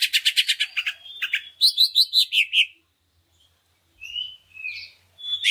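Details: Greater green leafbird lure song to stimulate other leafbirds to sing: a rapid stuttering series of sharp notes, then about six rising whistled notes repeated, a pause, and scattered slurred whistles.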